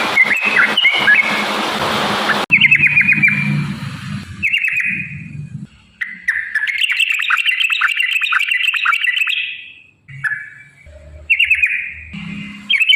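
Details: Yellow-vented bulbul song for luring other bulbuls to sing, cut into several bursts: chattering, bubbly whistled runs and rapid twittering, split by brief silences, with low hum in some parts.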